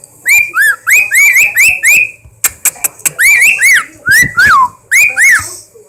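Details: A pet bird indoors gives a fast run of loud wolf whistles and bizarre noises: many short rising-then-falling whistled notes in bursts, with a short spell of clicks near the middle.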